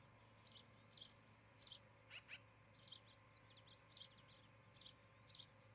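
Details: Osprey pair at their new nest on a nest camera in Charlo, Montana, recorded on the evening of 17 July 2018. A quiet series of about a dozen short, high, sharp chirps comes in small clusters over a steady low hum.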